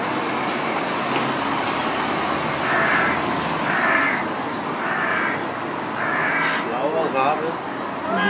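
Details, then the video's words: A male hooded crow strutting among people on a Berlin street gives a run of harsh, rasping caws, roughly one a second, over a steady traffic hum with a person's voice briefly heard. "The Hooded Crow Makes Some Noise"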